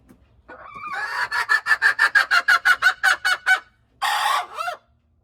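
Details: Hen crowing: a quick run of about thirteen harsh, evenly paced clucks, then a short pause and a longer raspy note that dips at the end, in quiet surroundings.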